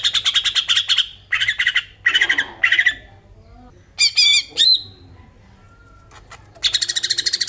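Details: Greater green leafbird song, recorded as a lure to stimulate other birds: bursts of rapid buzzy chattering trills and sharp squawky notes separated by short pauses, ending in a fast ticking trill.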